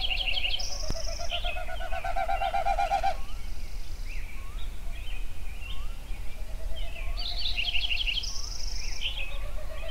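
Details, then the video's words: Songbirds singing at sunrise in Yellowstone: two bursts of rapid high trills, each followed by a thin sustained whistle, with scattered softer chirps and a constant low rumbling background. "Sunrise Songbirds at Yellowstone"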